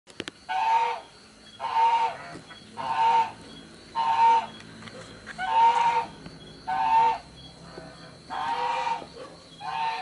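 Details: Young spotted dove giving hoarse, breathy squeaking calls, each about half a second long, repeated steadily every second or so with brief quiet gaps.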